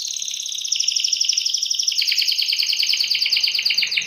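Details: Gacor canary in full song, meant to trigger other canaries to sing: a continuous rapid trill of high repeated notes, rolling and slightly descending, with faint background noise.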